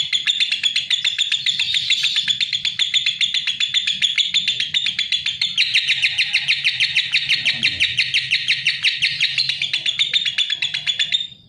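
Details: Lovebird singing at length: an unbroken, rapid high chatter of chirps that grows denser and louder midway, then fades out at the end.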